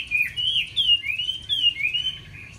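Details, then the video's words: Brief phrase of a caged Chinese hwamei's many-voiced song: a chain of clear, sliding whistles, each gliding up or down, delivered in quick succession without pause. "Mi hót hay đẹp cb8864c nhiều giọng rừng hay mau mỏ"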